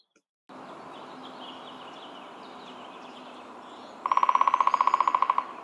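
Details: Hairy Woodpecker in spring near the Willamette River, Eugene, Oregon, giving a quick rattling run of sharp, even-pitched notes, about twenty in just over a second, after several seconds of steady background hiss.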